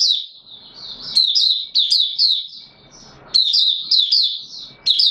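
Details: Mata Puteh Raja white-eye, a caged bird not yet in full condition, in opening song: a soft thin warble rising into louder quick twittered bursts, with a pause midway before a fresh run of high notes.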